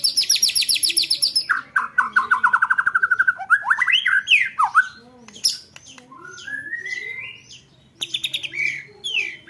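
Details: White-rumped shama 'roll tembakan' training song for contest birds: a rapid high rattle, a descending series of quick clear notes, loud swooping whistles, a rising slurred phrase, then renewed fast chatter.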